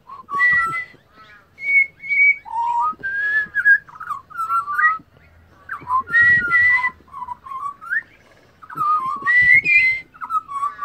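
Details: Australian pied butcherbird, wild and resting, sings a long run of mellow whistled notes stepping up and down, bursts of phrases separated by short gaps, with occasional rough clicks and faint background noise.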